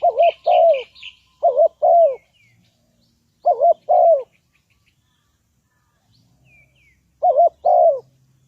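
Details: Decoy spotted dove for bird trapping gives repeated pairs of low hoots, a wobbling short note then a longer falling one, in groups spaced by silences, with a few high twittering chirps at the start.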